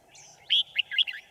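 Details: Decoy red-whiskered bulbul singing at a bird trap to draw in wild birds, 5 January 2018. It gives a short, bright phrase of three or four quick, slurred whistled notes over a constant low background hum.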